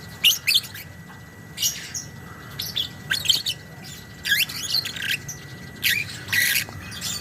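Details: Caged lovebird recorded to train other birds, with 'ngekek' chatter: separated bursts of harsh, high squawky chirps every second or so, alternating with quieter pauses, and a faint steady high tone running underneath.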